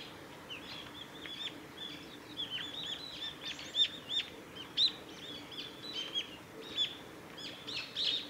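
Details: Brown-eared bulbul among cherry trees in a nature observation garden at a nature conservation center, 10 March 2019: sharp, shrill chirps and squeaky notes, repeated irregularly about every half second to second, over a faint background hiss.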